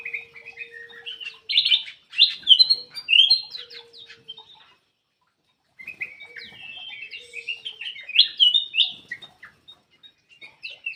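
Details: Vigorous black-crested bulbul song meant to coax silent birds to sing; two bouts of hurried, chattering warbled phrases separated by a short pause, with a faint low drawn-out tone underneath.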